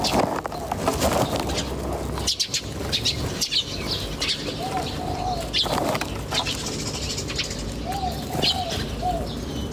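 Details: Bird chirping in a natural setting: scattered high chirps mixed with a few soft, low, arched cooing notes repeated later, over a rumbling background with occasional thumps.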